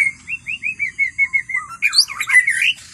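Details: White-rumped shama singing in wild forest: a quick run of about nine short, clear whistled notes, mostly level with a few lower slurs, then a burst of rapid, tangled warbling notes sweeping high and low.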